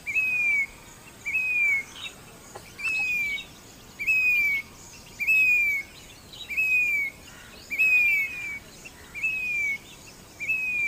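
Grey-bellied cuckoo giving clear, plaintive whistled notes that sweep slightly down, repeated about every second and a quarter, over faint insect hiss.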